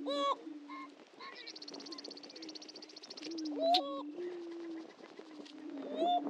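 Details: Greater prairie-chicken lek at Dunn Ranch Prairie, Hatfield, Missouri: a low droning boom underlies sharp cackling whoops at the start and end, with a long dry buzzing trill sustained through the middle seconds.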